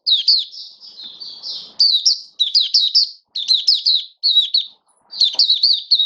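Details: Mata puteh (oriental white-eye) in build-up form sings an opening 'buka' song: clusters of sharp, high, rapidly slurred notes repeated in short phrases, with brief pauses between.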